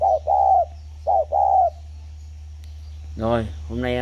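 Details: Spotted dove kept in captivity for ten years at a farm in Ba Vì, Vietnam, 29 October 2020. Two pairs of soft, low coos are followed by a man speaking, with a constant electrical hum underneath.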